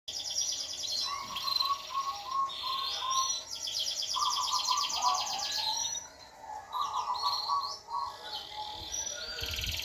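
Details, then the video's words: Canary singing energetically though kept down low: rapid trilled phrases switching between high and lower pitches, broken by short pauses, with scattered chirps between bursts. "kenari af gacor walaupun ditaroh dibawah"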